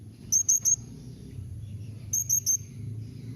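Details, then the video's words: Thin, piercing calls of a blue-crowned hanging parrot, meant to get other parrots to answer, come in two neat triplets of high whistled notes about one and a half seconds apart. "Kombinasi Suara SERINDIT MEMANGGIL NEMBAK Mbeset Seperti ni Jadikan Srindit Anda Nyaut"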